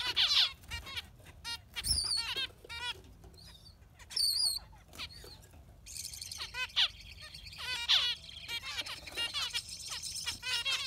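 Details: Yellow finch concert of varied twittering: scattered downslurred chirps, brief high whistled trills, then a denser chattering stretch with a thin hissing background.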